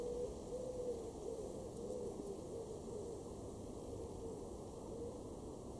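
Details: A Eurasian collared dove (Streptopelia decaocto) in a garden in Weener, East Frisia, northwest Germany, in August, coos softly, low hollow notes running one into the next, half buried under a steady background hiss.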